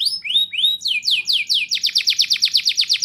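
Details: Canary singing, played to coax young canaries into song: a few rising whistled notes, then sweeping downslurs that speed into a fast, even trill of repeated notes.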